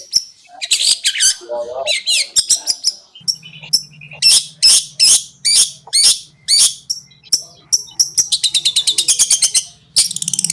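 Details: Long-tailed shrike training song: a long varied sequence of harsh notes, whistles and buzzy calls, speeding into rapid rattling trills near the end, a low hum present.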